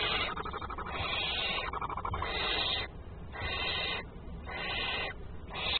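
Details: In a nest in Thixendale, North Yorkshire, barn owl chicks give long, harsh, breathy hisses, each about a second long and repeated roughly once a second, while the male prepares their food; low rumbling noise underneath.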